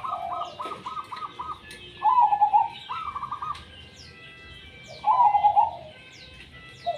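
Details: Zebra dove singing: a stuttered run of short notes, then drawn-out warbling coos repeated every few seconds, with high chirps from other birds in the background.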